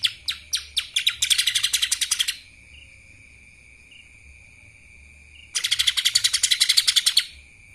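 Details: Song of a lesser green leafbird in kapas tembak style: a few spaced sharp notes speed up into a long, rapid, harsh high trill, then silence with a faint steady whine, then a second equally fast trill.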